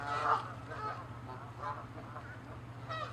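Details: Angry Canada geese squabbling over territory: a loud honk at the start, then softer scattered honks and a fresh burst at the end, with quiet gaps between.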